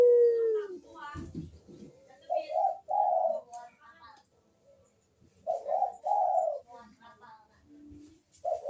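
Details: Turtle dove coos used as a lure to get reluctant birds calling: one long low coo, a brief rattling noise, then paired rolling coo notes after a quiet gap.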